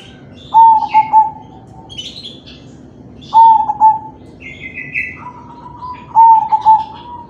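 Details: Crossbred zebra dove (perkutut crossing) cooing, offered as a lure to spur other doves into song; three stuttered, slightly falling coo phrases about every three seconds, each opening with quick clipped notes, while small birds chirp higher in the background.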